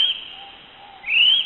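A kiwi gives shrill whistles that rise and then level off, one short note at the start and a longer one a second later, against faint background hiss.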